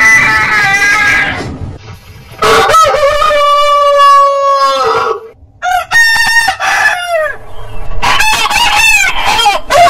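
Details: Heritage-breed roosters crowing: one long, steady harmonic crow lasting nearly three seconds that drops at the end, followed by shorter broken crows and rasping clucks.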